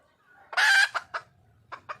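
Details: Wild red junglefowl hen calling for a male: one loud harsh squawk lasting about a third of a second, followed by a few short clucks.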